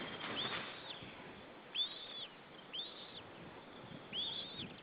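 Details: White-tailed eagle nestling, the only chick in its Estonian nest, 25 April 2013: four high, thin, curved whistled peeps spaced about one second apart, with soft background hiss.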